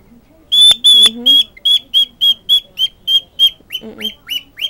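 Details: A jealous pet cockatiel screeches over and over, demanding attention when he doesn't get his owner's full attention; contact calls.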